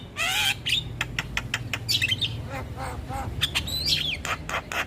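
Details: Javan myna in lively 'gacor' song, used as a tutor recording for mynas: harsh squawks mixed with rising whistled notes and rapid dry clicks, with a steady low hum underneath.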